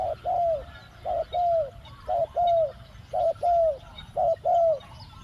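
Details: Spotted dove kept as a decoy to lure wild doves, two-word 'khu-ang' call style: four loud, regular paired coos, a brief note then a longer downslurred one, roughly one phrase per second, quiet background.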